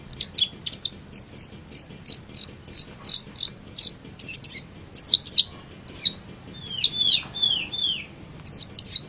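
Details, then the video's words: Long-tailed shrike song for training other birds: a long run of bright, clipped chirps repeated rapidly, then sliding downward whistles and twisting slurred notes spaced about half a second apart. "suara burung pentet untuk masteran"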